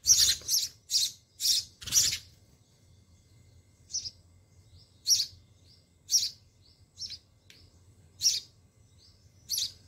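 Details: Sparrow chicks fed by their mother in a home-garden nest: a quick run of loud, high chirps, then spaced single chirps with short soft notes between.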